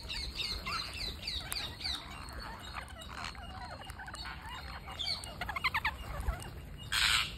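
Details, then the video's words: Parakeet being fed, chattering steadily in fast, squeaky, wavering chirps. A quick burst of rapid clicks comes near six seconds and a loud, hoarse, rasping squawk near the end. "Parakeet Feeding"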